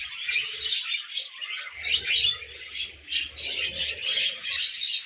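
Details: Happy pet budgies producing continuous high warbled chatter with quick chirps and squeaky notes, several birds overlapping, a brief lull near the two-second mark.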